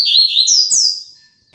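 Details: A captive Double-collared seedeater's tutor song for young birds to learn from: a brief, loud phrase of high, sliding whistled notes that sweep down and fade within about a second.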